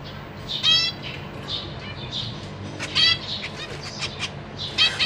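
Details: Zebra finches, a pair with three juveniles and three newly fledged babies, caged in a large cage; parents busy feeding young. Short high nasal calls and buzzy bursts come in scattered clusters over steady low background hum.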